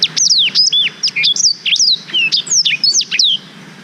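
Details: Black-throated canary singing for canary tutoring, recorded with a GoPro Hero 5: rapid, clean phrase of high whistled notes, each swooping down or up, packed tightly for about three seconds before stopping.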